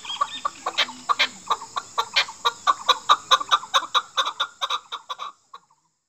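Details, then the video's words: Chukar partridge, Pakistan's national bird, in a calling sound used by hunters: a rapid series of harsh, clucking chuck notes, about two per second, building louder and then trailing off, with a steady faint high whine behind. "Chakor ki awaz | Chakor sound"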